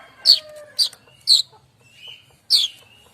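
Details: Streaked weaver (manyar kembang) singing for songbird training: loud harsh chattering bursts spaced about half a second to a second apart, with thin whistled notes between them.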